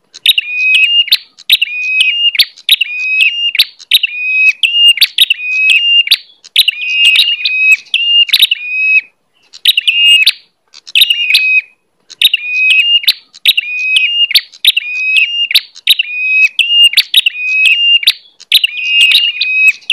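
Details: Bar-winged prinia lure call for attracting wild prinias in rice fields, gardens or forest, giving rapid, bright chirping phrases repeated over and over at a steady pace.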